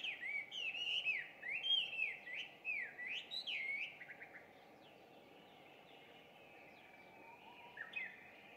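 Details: Introduced Chinese hwamei singing at dawn in early June, at a distance. Fast, looping whistled notes repeat about three times a second for four seconds, then fade to softer, thinner phrases over a background hum.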